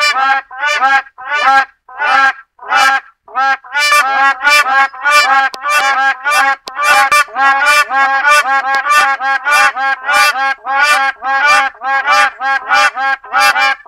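Black crowned cranes give loud, nasal honking calls with rich harmonics, about one or two a second in a steady, overlapping series.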